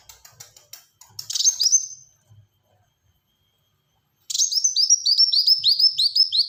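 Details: An actively singing Black-throated sunbird, dense rapid-fire style: scratchy pulsed notes lead into a sliding high whistle, then after silence a long, even run of repeated high chirps that falls slightly in pitch.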